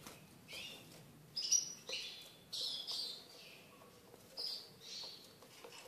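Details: Tamed caged Eurasian siskin uttering separate short twittered phrases, each a quick cluster of high, slightly buzzy notes, spaced about half a second to a second apart over quiet background.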